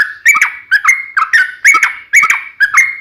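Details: Sooty-headed bulbul (trucukan) in busy 'gacor' song, used to prompt other bulbuls to answer: short bubbly, slurred whistled phrases, about six of them, each with a rising-then-flat note, spaced roughly half a second apart.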